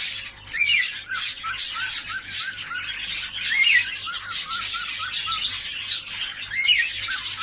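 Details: Many cockatiels squawking at once, offered to prompt mating: harsh chattering bursts overlap constantly while short rising-and-falling whistles recur every second or so beneath the noise.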